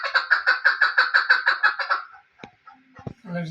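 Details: Rhythmic chucking series from a female chukar used for hunting, clear notes repeated roughly three times a second, then breaking off into scattered softer sounds and a brief low hum.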